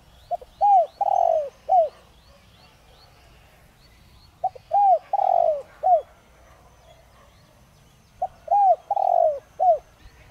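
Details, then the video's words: Spotted dove decoy with the 'Giọng Đồng Rặc' voice, used to provoke others into cooing. Three evenly spaced phrases roughly every four seconds, each a brief pip, arched coo, long falling coo and short closing coo; faint chirps behind. "Chim cu gáy Giọng Đồng Rặc kích bổi nhanh nổi/cu gáy mồi cây kích bổi nhanh gáy"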